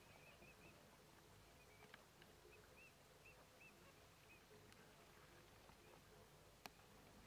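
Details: Eurasian teal (Anas crecca) at the Soča river mouth nature reserve, Slovenia, on 4 January 2024: soft, high, ringing 'krick' whistles repeated in quick loose runs over a steady wash of wind and distant noise.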